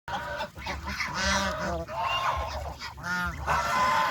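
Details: Farm geese, adults and goslings, feeding on fresh grass beside a countryside pond; loud harmonic honks repeated rapidly in a continuous chorus, several birds calling over each other.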